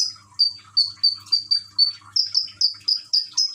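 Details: Common iora, caged, Gresik, East Java, Indonesia, singing with water-trickle sounds meant to trigger song; a rapid run of about thirteen high, clear whistled notes repeated roughly every quarter second, slightly rising toward the end.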